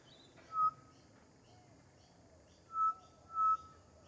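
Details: Pied butcherbird in a garden with its partner and a juvenile; three pure, steady whistled notes on the same pitch, the first alone, the last two close together, with quiet surroundings.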